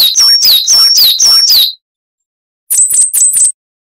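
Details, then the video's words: A coal tit (Periparus ater) sings five quick, high two-note phrases dropping in pitch, then after a short pause a burst of four thinner, higher notes. No other sounds. "Masteran Burung Gelatik Wucit Panjang Ngalas - Coal Tit"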